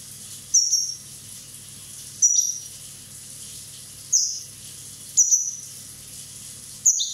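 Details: One-year-old Corsican European goldfinch uttering five short, thin, high notes that slide downward, spaced irregularly one to two seconds apart, against a quiet low background hum.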